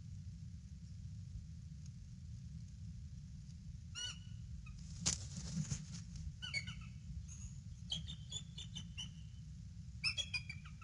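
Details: Male bald eagle sitting on the nest calls out as his mate lands in a nearby tree, nest camera, February 18, 2016, about 6 PM: faint high chittering notes in scattered bursts over a steady low rumble.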